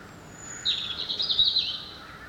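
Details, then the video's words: Unidentified bird singing at daybreak beside a window, trilling: one rapid, high, rattling trill of about a second with fluttering pulses, then quiet with soft background noise. "Утренняя птица поет на заре у моего окна"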